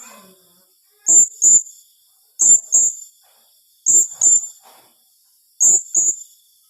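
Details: Blue-crowned hanging parrot calling in the tembakan rapat style: four bursts of paired piercing high notes, each double note sharp and brief, repeated roughly every one and a half seconds against quiet surroundings.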